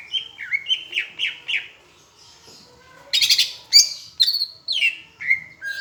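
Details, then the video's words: Greater green leafbird from Palembang in a tutor recording that mixes in Asian brown flycatcher imitation: a run of five quick rising-falling whistles, a short gap, then loud harsh buzzy bursts and descending squeaky whistled notes. "Masteran cucak hijau rasa sikatan londo"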